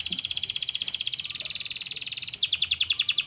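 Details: Singing canary, meant to stimulate lazy birds to sing: a fast, even rattle of high notes about fourteen per second, switching to a brighter, slower series of sharp pulses near the end.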